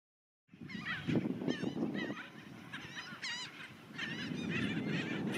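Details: A scoop of Black Skimmers, filmed with a Panasonic LUMIX FZ2500 camera, gives nasal, barking calls. Short harmonic notes repeat quickly and overlap as several birds call at once, over a steady low rumble.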